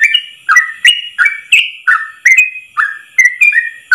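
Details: Trucuk, the yellow-vented bulbul, in rapid ropel style, one long breath of song for training other trucuk: about ten quick whistled slurs per four seconds, alternating higher and lower notes, with crisp clicking attacks.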